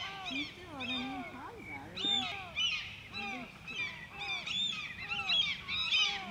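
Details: Rapid, high yelping series from a white-tailed eagle at Grönvik, Ornö, recorded 16 July 2024. Arched notes pile up in overlapping bursts, with softer lower wavering notes underneath.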